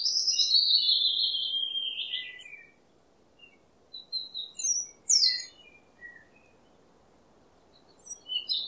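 A robin sings a high, thin phrase that slides downward, pauses, then adds a run of quick, varied twittering notes. A faint low hum runs underneath.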